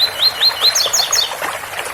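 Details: Special Ouro Fino tui-tui song of a double-collared seedeater near a water spout: loud, clear upslurred whistles repeated rapidly, then several higher sweeping notes, with faint water noise behind.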